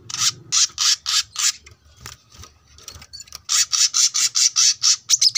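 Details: Brown-throated sunbird in lively song, recorded as a training track for cage birds: loud buzzy chattering notes repeated about every quarter second, a quieter pause with faint background noise, then another fast run of harsh notes.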